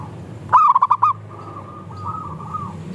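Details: Zebra dove song as a lure for other doves: a single loud burst of rapid stuttering coo notes, then quieter, smoother coos continuing behind it.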